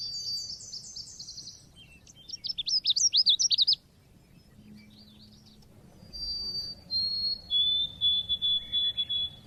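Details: Oriental white-eye lure recording: a buzzy descending series opens, followed by a loud fast string of high zigzag chips, then, after a pause, thin level whistles repeated in a steady pulsing run.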